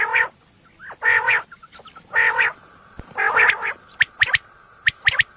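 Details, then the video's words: Common quail heard at night for hunting: several drawn-out buzzy rasps, then a run of short sharp pips, over a steady faint hum. "Batair ki awaz volume 14 batair ki awaz night batair sounds for hunting بیٹر کی آواز"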